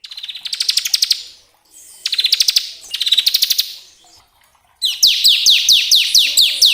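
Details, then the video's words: Bar-winged prinia song used as a lure to stimulate caged birds into singing: buzzy trilled bursts of rapid high notes, then a quick series of sharp, downslurred chirps repeated several times each second. "pancingan ciblek agar cepat bunyi"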